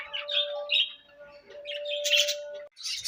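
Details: Budgerigars chirping while eating: quick whistled and buzzy chirps over a steady low hum, ending in a loud harsh chattering burst.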